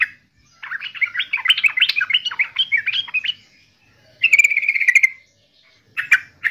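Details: Yellow-vented bulbul, named trucukan in Java after its characteristic voice, pouring out a long, tumbling, gurgling warble of jumbled liquid notes. A shorter fast chatter and a final brief phrase follow.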